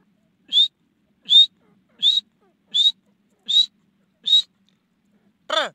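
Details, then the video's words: Francolin giving a series of six short, clear whistled notes, each slightly rising, spaced roughly every three quarters of a second, followed by a final broader, harsher note. "teetar ki awaz|teetar ki boli#teetar sound"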